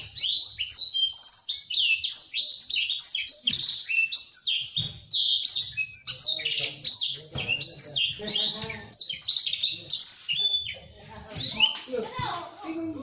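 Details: Fast, tightly packed song of a blacksang (blackthroat crossed with sanger), used to tutor canaries: continuous high chattering warbles, quick up-and-down whistled notes and short trills for thirteen seconds, fading slightly toward the end.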